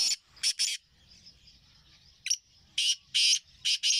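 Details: Black francolin (kala teetar), recorded 20 April 2024: loud, harsh, grating notes in a short burst, then a pause before a second phrase of four rasping notes, over a steady high insect-like hiss.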